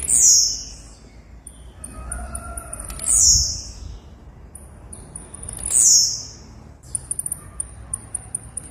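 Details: Female blue-black grassquit (tiziu) calling: thin, very high descending notes, one about every three seconds, with faint ticking and low background rumble between them.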